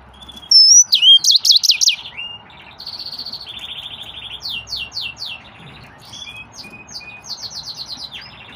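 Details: Green singer, a yellow-fronted canary, in a long varied song: a whistled upslur, fast loud trills, then sustained buzzy notes and rapid repeated chips fading toward the end.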